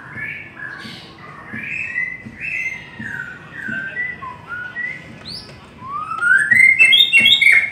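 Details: White-rumped shama singing a long song of mellow whistled phrases, each a second or so apart, building into a rising sweep and a fast, loud burst of sharp trilled notes.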